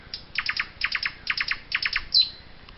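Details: Eurasian jay, Wittlicher Tal, 2018: hoarse rasping notes delivered in quick groups of three, four groups in under three seconds, ending with one thin high note.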